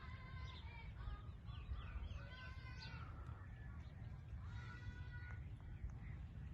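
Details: Ringneck parrot talking: a run of short, speech-like harmonic phrases with rising and falling inflections, some clipped and some drawn out, over a steady low rumble of background noise throughout.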